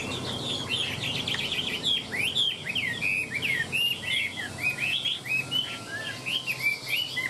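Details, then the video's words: Caged Chinese hwamei singing strongly while fanning its tail and flicking its wings: rapid, rich whistled phrases full of downward slurs and quick warbles, continuous and loud throughout. "Đuôi xòe chơi cánh hót tốt giọng hay"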